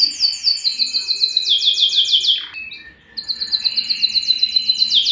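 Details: Rapid high trills from a yellow canary, interrupted by a short quiet gap with a falling note, then another fast repeated trill phrase.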